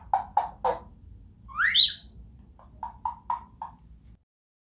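A Grey Parrot gives three harsh, nasal squawks, then a clear rising whistle, then five short clipped squawks in quick succession, over a faint low hum.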